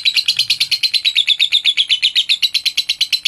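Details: Lovebird song meant to provoke rival birds, a rapid, even string of shrill, buzzy chirps repeated about seven times per second, steady in loudness throughout.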